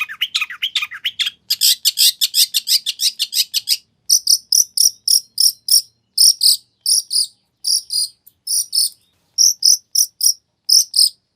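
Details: Long-tailed shrike singing a lively song full of mimicked fill-ins, used as a lure so another shrike answers: fast, dense, scratchy high notes give way to evenly spaced, sharp, twittering double chips, clean with no other sounds.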